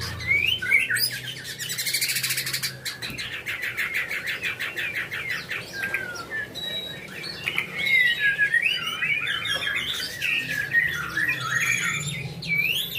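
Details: White-rumped shama song from a captive bird: rapid varied whistles and sweeping notes with rattling, chattering bursts, amid noisy background and other chirps.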